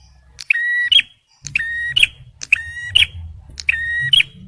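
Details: Song of a male bar-winged prinia, intended for luring and prompting stressed birds: four rapid phrases, each a level nasal buzz ending in a crisp, higher click, with a brief pause after the first.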